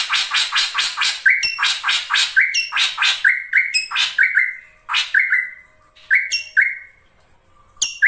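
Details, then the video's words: Ashy drongo, used as a lure sound for other birds, gives a busy run of harsh, broadband chatters mixed with clear whistled notes near two kilohertz, delivered in quick bursts with short pauses. "SRIGUNTING KRANTIL SAERAN GUNTING GACOR"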